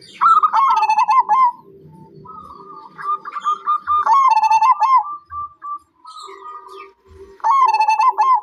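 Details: Repeated phrases of a zebra dove, each a rapid rippling series of bubbling coos, separated by softer steady notes; faint chirping of other birds and occasional low knocks in the background.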